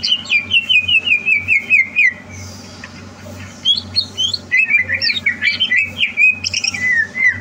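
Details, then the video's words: A contest-bound greater green leafbird, recorded 30 November 2022, sings rapid chattering whistle runs, pauses briefly, then resumes with mixed high twitters and a falling whistled phrase over low hum. "Suara Burung CUCAK Hijau"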